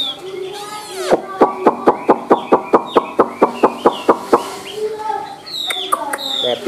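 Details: Chinese hwamei, white-winged and white-tailed, a high singer and good fighter, delivering a rapid series of about fourteen sharp, clipped notes at an even pace, framed by brief whistles at start and end.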